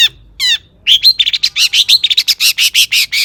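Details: Long-tailed shrike song meant to get other shrikes singing: two thin calls, then a steady run of loud, buzzy notes about five per second.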